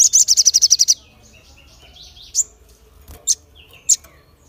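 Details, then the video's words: Crested jay sending out sharp calls to provoke other birds, opening with a fast, high rattle of about ten notes, then quiet sliding whistles broken by three single piercing chips. "SOGON Gacor Full Nembak Suara Tajam l Bikin Yang Lain Terpancing"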